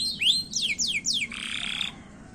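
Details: Canary in a fast, short song style played to trigger singing: several quick high whistles sweeping downward, then a harsh buzzy burst lasting about half a second.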